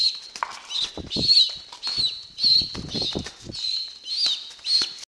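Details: Hand-fed pet pigeon squab near weaning age, hyper and eager at feeding time, eating from a syringe and bowl indoors with a macaw nearby; bursts of rapid wing flapping with thin, high squeaky tones repeating through the feeding.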